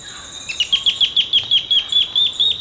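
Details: Olivaceous woodcreeper in Costa Rica: a fast series of about fifteen high, sharp downslurred notes, evenly spaced, over a steady high insect drone and forest hiss.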